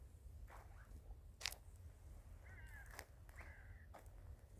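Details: Winter village crows giving two drawn-out, grating caws close together, with a few sharp clicks or taps and a constant low background rumble.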